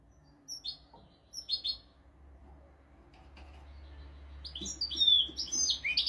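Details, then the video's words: European goldfinch tutor song for teaching young goldfinches and canaries: a few scattered high chirps early on, over low hum, then a louder rush of twittering, buzzy notes building near the end. "تغريد طائر الحسون ملكي حفاضة لتعليم طيور الحسون والكناري بدون أخطاء"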